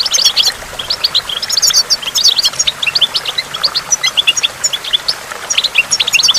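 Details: Goldfinch singing by a waterfall with water drops, in a recording meant to stimulate goldfinches: rapid, tinkling twitters and chirps run almost without pause, high and bright, over a faint steady rush of water.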